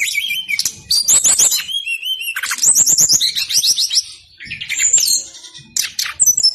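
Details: Persistent song of a brown-chested jungle flycatcher, meant to coax other birds into singing: rapid run of high twittering notes and rising whistles, dense ripples of trills, with only a short lull before more whistled phrases.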